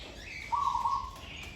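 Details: Zebra dove in training gives a single rolling, trilled coo lasting about half a second, with a faint higher chirp from another bird just before it.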